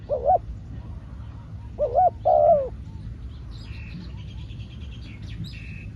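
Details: Decoy spotted dove on a trapping session: one short coo, then a rising double note and a longer falling croo. Afterwards there is a run of high, rapid chirping from another bird over low rumble.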